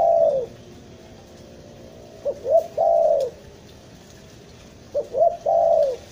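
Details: Spotted dove (tekukur) used as a trapping lure in Bandung: a trailing coo, then two complete phrases of brief stammered notes, each ending in a long, warm, falling coo, repeated about every two and a half seconds.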